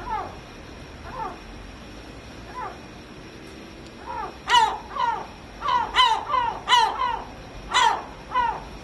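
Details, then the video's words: Gulls gathered in a noisy group, giving harsh, slurred mewing cries, sparse at first, then a loud burst of repeated yelping calls in quick succession over a hiss of background noise. "Seagulls Party"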